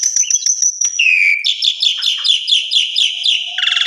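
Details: Asian pied starling singing, suited as a master for other starlings: a high steady whistle with clicks, a falling slur, then a fast rhythmic series of repeated buzzy chirps ending in a rasp.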